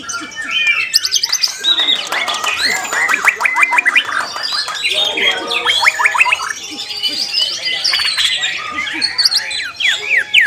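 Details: White-rumped shama singing a busy medley of buzzy rattles, clicks and high whistled notes, packed tightly with barely a pause.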